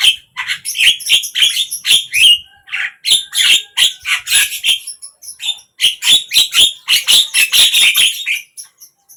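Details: Javan myna song from morning, midday or evening: sustained, rapid chattering of harsh buzzy notes and squeaks, about three to four per second, with a few short breaks.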